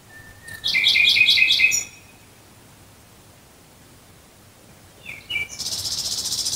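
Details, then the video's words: Nightingale song at night near Dresden: a thin whistle, then a fast run of about six repeated chirps. A long pause follows before a harsh, buzzing phrase begins. "Nachtigall Gesang Geräusch. Singing Nightingale Sound."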